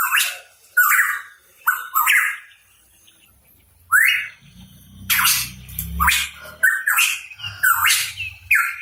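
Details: A Hooded pitohui gives loud, harsh, rasping bursts mixed with short slurred whistles rising in pitch, in quick irregular phrases, over a low rumble of background noise.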